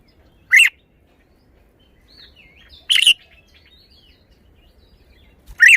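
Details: Red-whiskered bulbul kept in a cage and displaying its singing style. Three short, loud, sharply accented warbled bursts spaced about two and a half seconds apart, with faint softer chatter in the gaps.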